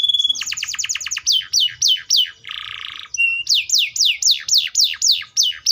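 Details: Atlantic canary song: a quick run of clipped downslurred notes, a harsh buzzy burst, then a slower, regular series of loud sweeping whistles.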